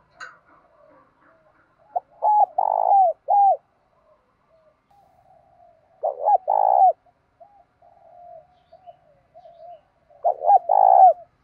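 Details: Morning song of a spotted dove in the 'thổ' style blended with 'thúc gù', sung to draw in wild doves. Three full phrases of stuttering short coos end in a drawn-out throbbing coo, with faint low hums between phrases.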